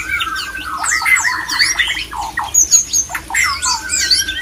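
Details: White-rumped shama mating call to stir other shamas into breeding: a falling whistle leads into rapid, dense phrases of high thin notes, buzzy sweeps and short chopped syllables in quick bursts, over a low hum.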